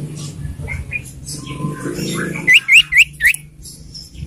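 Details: Morning song of a common iora: four quick, clear upslurred whistles in a tight series near the end, after a stretch of murmuring voices and low background sound.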